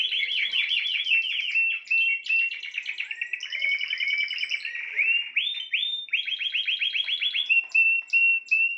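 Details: Spanish timbrado canary in full song, strings of quick metallic trills and rolls shifting in speed and pitch, rising bubbling notes, and short clipped phrases near the end.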